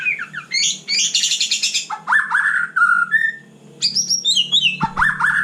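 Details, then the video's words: A white-rumped shama sings after dark, mixing fast high trills, rich descending whistles and steady mid-pitched notes, then bright rising phrases after a quieter gap. "Kicau malam murai batu super GACOR"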